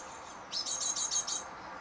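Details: Great tits on an eleventh-floor balcony in Mariahoeve, The Hague, in May 2023: a quick run of about five sharp, high notes in under a second, over a faint steady background hum.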